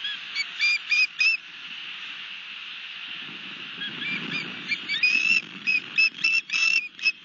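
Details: Osprey with a fish at a nest in Barnegat Light, New Jersey, March 2021 evening: clusters of short high chirps at start and end, with a stretch of hiss and low rumble between.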